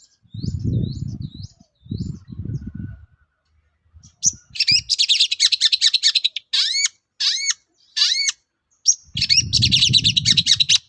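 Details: Long-tailed shrike in full song, used as a lure to make other shrikes answer and sing: rapid harsh, scratchy chatter mixed with sharp upward-slurred notes, between bursts of low rumbling noise at start and end.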